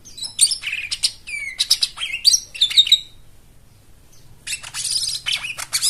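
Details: White-eye song aimed at getting silent birds to sing. Quick high chirps and slurred whistles for three seconds, a pause, then a fizzy, rapid twittering burst.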